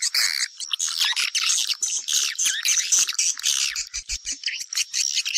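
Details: Chattering of swiftlets, used as a lure to draw the birds into a house: unbroken, busy high twitters and squeaky trills from many birds, a few soft low thuds after four seconds.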